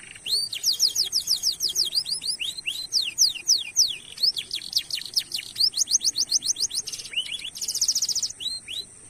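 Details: Canary 'masteran' lure song with 'cuit cuit' notes and a long roll: a continuous stream of rapid slurred whistles, several per second, with a dense rolling trill near the end.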